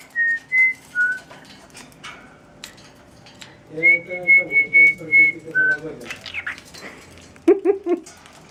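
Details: Cockatiel kept as a pet whistling "Tequila", giving clear sustained whistles in short bursts, alternating between steady notes and a lower dip, while a human voice hums along underneath and short chirpy calls follow near the end.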